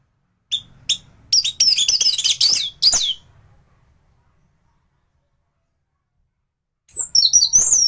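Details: Singing anis thrush in top form, used as a tutor song for other thrushes: scattered high chips build into a dense, scratchy warbling burst, a silent gap, then more strident high phrases.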